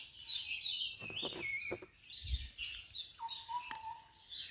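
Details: Red-vented bulbul nestlings being fed by a parent give high, thin, wavering chirps in rapid bursts over about four seconds; a low thump and faint background noise are also heard.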